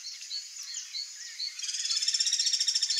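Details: Ringed kingfisher, a wild bird, bursts into a rapid, grating rattle of quick clicking notes that lasts to the end, after soft chirps from other small birds over a constant high insect hum.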